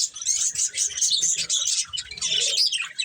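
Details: Budgerigars, a breeding pair kept as pets, chattering continuously with dense high-pitched chirps and warbles, rapid and buzzy, in overlapping bursts with brief pauses.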